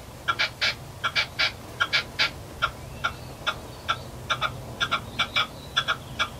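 An Arabian partridge gives harsh, clucking chuk notes in quick pairs and triplets, about two or three a second, over a low steady hum.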